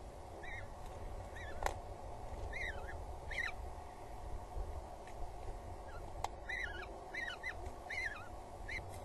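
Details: Two peregrine falcon chicks at a nest on Axel Tower, Netherlands, 19 April 2022 around midday, being fed after the mother arrives with food: repeated thin, wheezy, down-slurred squeals in quick bursts over steady background hum.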